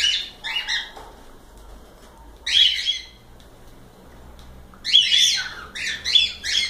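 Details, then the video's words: Cockatiels indoors making short buzzy chirps, a quick pair at the start, one loud squawk midway, then a rapid run of grating calls at the end. "Calopsitas Live Canto dos pássaros"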